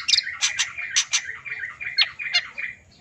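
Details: Long-tailed shrike (cendet) song used as therapy for silent birds: harsh, scratchy chattering and squawky notes with mimic-like jumbled phrases, irregular and fairly loud.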